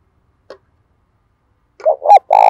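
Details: Caged decoy spotted dove in full call: a soft click, a pause, then two quick coos and the start of a longer, throaty coo cut off at the end.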